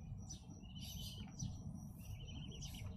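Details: A sooty-headed bulbul just after being bathed gives bright chirps and quick rattling trills, repeating every second or so over a steady low rumble.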